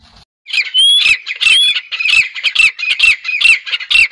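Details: Grey francolin (desi teetar) calling: loud, harsh squawking notes with a whistled edge, given in a rapid steady series about twice a second after a brief quiet start.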